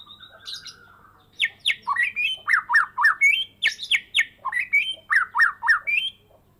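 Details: Kept Medan white-rumped shama, after its first moult, singing hard in 'gacor full isian' style: rapid repeated chopped, descending whistled notes, about three to four per second, in energetic runs with high sharp accents.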